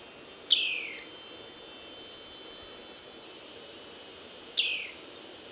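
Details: Ocellated Poorwill in Brusque, Brazil, giving two clear, high whistles that slide steeply downward, about four seconds apart, over a steady background hum of insects.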